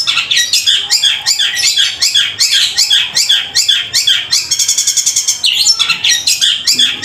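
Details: Loud, sustained Long-tailed shrike song imitating fighting sparrows: quick series of sharp, buzzy chips and rasping notes, about two to three per second, with a brief stretch of fine rattling trill midway.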